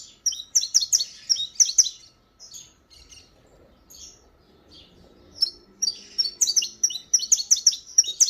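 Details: Saffron finch in disparador song: quick volleys of shrill chirps at the start, a quieter stretch of softer notes, then another dense run of rapid high chirps to the end.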